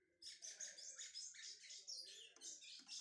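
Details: Lined Seedeater, 'pardo' (brown) bird, warming up its song: a dense, continuous high twittering of buzzy, scratchy chirps and trills that runs without a break, with a faint low hum underneath.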